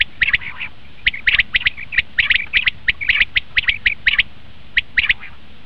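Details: Lure call of a common quail for hunting: busy, overlapping series of clipped, liquid triple notes, roughly one phrase per second, fading to a final pair of phrases.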